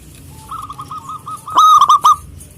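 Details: Local zebra dove singing in a big voice to call rivals: a soft rolling run of low notes, then loud, deep, resonant cooing notes in a quick burst near the end.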